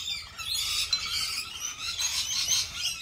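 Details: A steady wash of high, rasping lorikeet screeches and thin squeals, several birds calling at once without any pause.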